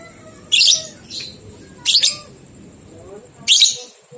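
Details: A lovebird gives ngekek song, a recording used to get two-month-old young lovebirds singing. Three loud, harsh high chatter bursts are spaced over about three seconds, against a faint constant high tone.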